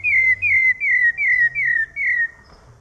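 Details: Rufous-bellied thrush singing loudly: six clear whistled notes, each slightly falling in pitch, given in an even series about every half second, with a faint low hum underneath.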